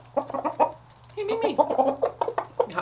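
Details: Rooster, described as super happy while hand-fed peanuts, corn and treats: a quick run of short, throaty clucks, then a longer warbling, wavering cackle with several sharp notes over a low steady hum.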